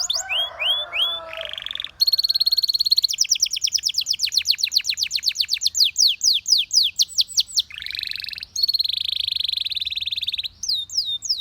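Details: Belgian canary in full song, prompting many canaries to sing; long rolling trills of rapid repeated notes change tempo and pitch, broken by dense buzzy rolls and a few sweeping whistles.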